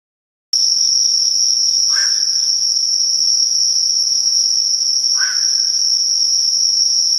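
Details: A Black-crowned Night Heron flying over a pond at night on 13 September 2011 gives two short, harsh squawks about three seconds apart over a steady, high-pitched chorus of autumn crickets.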